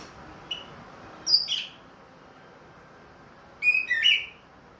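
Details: Captive orange-headed thrush, Ring Kresek type, recovering song after its moult: softer, scattered sharp whistled notes, a faint early note, then two brief clusters of bright chirps and slurs.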